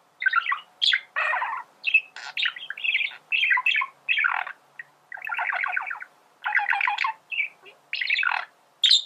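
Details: Male budgerigar warbling nonstop: a long, varied stream of chirps, clicks, squeaks and buzzy pulsed notes in short irregular bursts.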